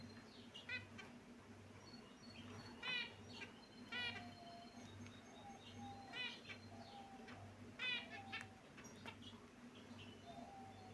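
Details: Pet finches calling in their cage, giving soft, nasal chirps in small clusters every second or so, with a few thin drawn-out notes, over a steady low hum.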